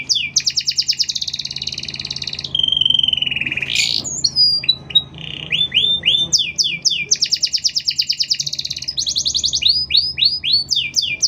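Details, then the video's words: Long continuous canary song with tight gaps, used as a master recording or to provoke other canaries: fast pulsed trills, a deep sliding swoop, rising slurred whistles and repeated high trills across eleven seconds. "Suara Kenari Gacor | Suara Kenari Gacor panjang Jeda rapat"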